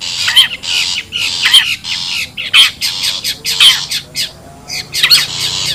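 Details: Wild long-tailed shrike giving a lure call used to draw birds together: harsh, rasping bursts about once per second, some with a sliding whistled tone underneath, over a faint low hum.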